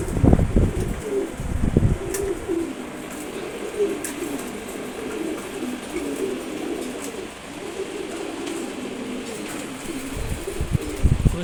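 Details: One-month-old Maxi racer pigeon chick that can already fly well. It gives a steady, low, murmuring warble that runs almost without a break for about eleven seconds. Scattered knocks and thumps are heard at the start and end.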